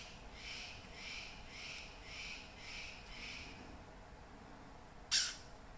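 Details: In Papua New Guinea rainforest, a MacGregor's bowerbird sings a run of six rasping, buzzy notes spaced about half a second apart, followed by a sharp loud click near the end against a quiet, humming background.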